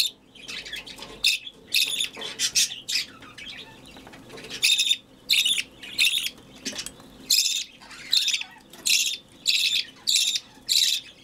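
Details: Budgerigar chick being hand-fed by a person, giving repeated harsh, raspy begging calls in bursts about once a second, with a woman speaking softly between them.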